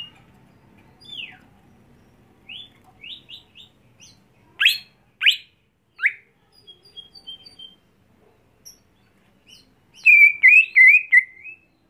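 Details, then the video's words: Greater green leafbird kept at home and trained to perform at contests. Sparse sharp downslurred whistles and short notes lead into a sustained warbling phrase of rapid, wavering whistles near the end. "Membuat Cucak Hijau Mental Rumahan Jadi Garang Di Gantangan"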